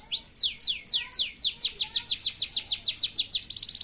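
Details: Male canary delivering a steady run of downward-sweeping whistled notes, repeated in a regular series that quickens toward the end into a faster trill.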